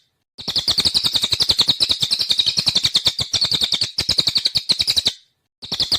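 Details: Rapid 'nembak' singing of a cililin (jalilin): dense, high, metallic chips repeated several times a second in long runs, starting after a short silence and pausing briefly before the end.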